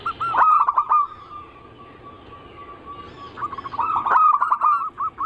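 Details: Zebra dove cooing, anggungan style, used as a lure: a loud bubbling burst at the start, a long soft drawn coo, then a second rapid run of rolling coos.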